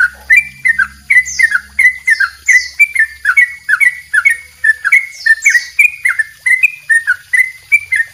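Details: Yellow-vented bulbul in long double rapid song, a master for training birds: rapid, repeated whistled notes curving down then up, with several high descending sweeps laid over the run.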